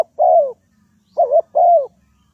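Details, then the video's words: Spotted dove used as a trapping lure. One long falling coo is followed after a pause by a short wavy coo and another long, downward-sliding coo, all loud and clear. "Tekukur pikat,Bẫy cu gáy bằng mồi"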